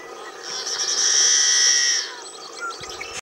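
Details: A yellow-headed blackbird in Lake County, Oregon, USA, gives its harsh, grating song: a long, strained buzz lasting about a second and a half, like a rusty hinge, followed by a few faint chips.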